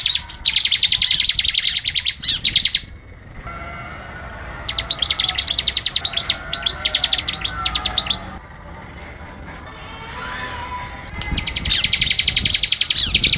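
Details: A prinia sings rapid, machine-gun bursts of high, sharp ticking notes lasting two to three seconds, separated by short pauses with faint background chirps; a wild bird.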